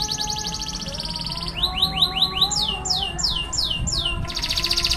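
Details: Roll tembak canary song: a fast high trill gives way to a run of about ten repeated, falling, slurred whistles, three or four per second, before a dense rolling trill resumes. Quiet lower tones are heard underneath.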